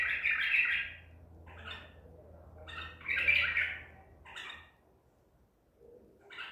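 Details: ['Song of a Baghdadi white-eared bulbul trapped at Medical City on 14 April 2021: loud fluty warbled phrases at roughly three-second intervals, each followed by short chirped notes.']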